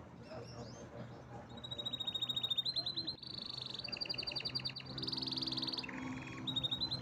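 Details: Canary in powerful song, delivering a chain of fast, dense trills that switch pitch every second or so, each rattling phrase rolling straight into the next over a faint low hum.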